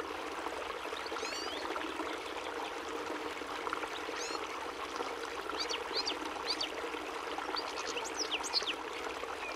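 European goldfinch giving scattered, quick, high tinkling twitters and chirps, partly buried under a steady rush of running water.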